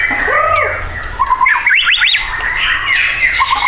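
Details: Caged white-rumped shama at a bird shop in South Tangerang, Indonesia, giving fast zigzagging whistles that swoop up and down in a rapid run, between softer slurred notes, with other birds calling nearby.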